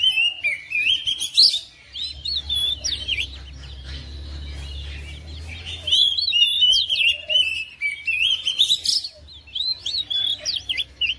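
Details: Oriental magpie-robin in a home responding to another singer, bursts of varied whistles and quick chirps, a quieter pause with a steady low hum around two to six seconds, then lively song resumes.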